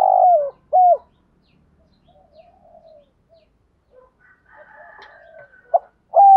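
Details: ['Spotted dove cooing thúc gù to stimulate wild doves: a falling coo and a short note, a long quiet stretch with faint murmurs, then a brief note and another coo.']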